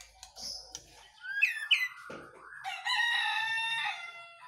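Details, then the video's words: White-rumped shama singing loudly during morning dew exposure: scattered soft notes, a pair of sharp upward-sweeping whistles, then a long rich warbled phrase with a harsh rasping edge. "saat mengembunkan MB kepantau GACOR"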